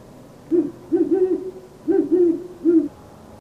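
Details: A great horned owl, one of the common owls around Lexington, Kentucky, gives its traditional deep, soft hooting series: a single hoo, a quick double, then three more low hoots over about two and a half seconds.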